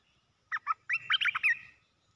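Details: Caged decoy red-whiskered bulbul set down on the ground while displaying: two short chirps open a quick, lively run of about six warbled, slurred notes.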